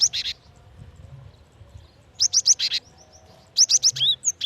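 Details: Calls of a female cinereous tit summoning a male. Two fast clusters of upswept whistles and rasping buzzy notes are separated by a quiet gap, ending in a descending whistle and a few thin chirps.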